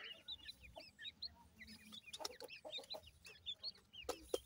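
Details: Grey francolin chicks: a busy stream of thin, high, arched peeps, many overlapping, each a quick upward-then-down whistle, with a few sharp clicks and knocks underneath.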